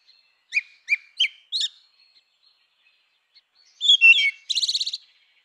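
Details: Four evenly spaced short whistled notes from a grey-winged blackbird, followed by a jumbled warble and a rapid trilled rattle of repeated high notes; otherwise silent.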